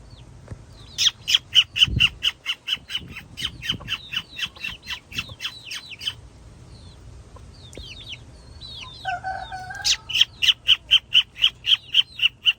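Cockatiels give rapid series of shrill, repeated chirping calls, with a brief pause midway.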